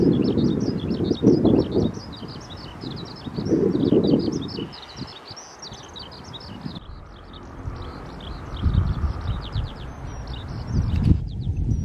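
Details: By the Tama River, a skylark pours out an unbroken stream of fast, high chirping notes and trills for about twelve seconds, over gusting wind noise that rises and falls.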